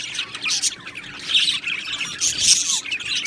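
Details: Budgerigar flock in an aviary colony: busy high chirping and twittering, with louder squawky bursts rising out of the continuous warbling.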